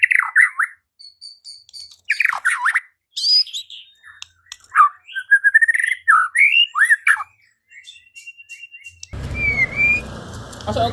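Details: White-rumped shama singing, played to provoke rival birds into song and fighting; varied swooping whistles and chattery phrases with short gaps, then a steady broadband hiss and a faint rising whistle in the last seconds.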